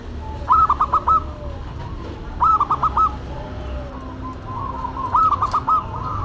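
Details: Zebra doves, a local bird and a cemani, singing in duet: short bursts of rhythmic, trilled coos around the same pitch, repeated about every two and a half seconds, over steady low background hum.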